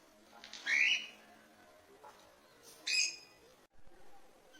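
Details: African lovebirds in an aviary in Kerala: two harsh, shrill, rasping squawks about two seconds apart, with faint chatter between.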